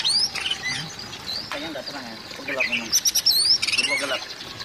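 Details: Oriental magpie-robin, a call to stir a mute magpie-robin: scattered high rising whistles and chattery notes, some lower warbled sounds mid-way, ending in a quick burst of sharp repeated chips.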